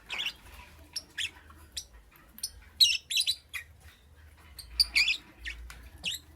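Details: Lovebird chirping in the morning, with sharp high tweets and scratchy double notes repeated irregularly through the recording, over a soft low hum.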